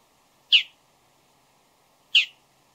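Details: Bull-headed shrike calling before dawn, among varied calls and mimicry: two short, harsh, scratchy notes about one and a half seconds apart, with silence between.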